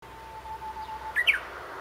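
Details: Japanese bush warbler singing from a tree near a graveyard, captured on a handheld compact digital camera: a faint, steady low whistle runs throughout, then a brief burst of higher, sharp chirped notes near the end over quiet outdoor hiss.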